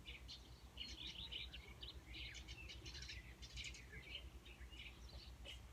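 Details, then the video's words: Small bird singing, its odd song said to sound like someone coughing: quiet, scattered chirps and short rough notes throughout, with a low background rumble. "Услышали странные звуки , как будто кто то кашляет, оказалось пение птички"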